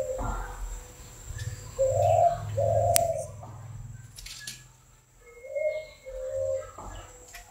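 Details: Spotted dove cooing in two bursts of paired, soft, low notes separated by a quiet pause, with a faint thin whistle and light background noise.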